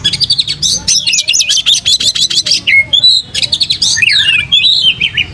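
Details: Oriental magpie-robin in full song with its tail fanned: rapid chattering bursts alternate with clear, rising and falling whistles and short slurred phrases, all loud and continuous.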